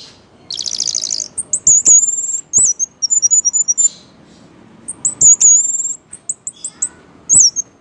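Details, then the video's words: Orange-headed thrush, said to sway as if drunk when it sings: a harsh rasping burst, then long strings of very high, rapid twittering notes in two bursts. "Burung Anis merah gacor,teller,ngeplay"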